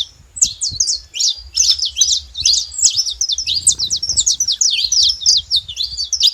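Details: Saffron finch singing freely in nature: a fast, unbroken stream of high sharp chips and zigzag slurs, energetic and twittering, quiet background.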